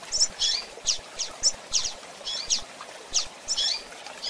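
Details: Female double-collared seedeater calling and chirping, kept for handling and training: a quick run of short, high, sharp chips, some doubled, repeated roughly every third of a second over a faint hissing background.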